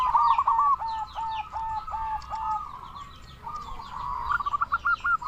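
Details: Loud local zebra dove, kept for calling in other zebra doves. Quick stuttering coos open the passage, then fade to softer notes, and a fresh rapid run of clipped notes ends it.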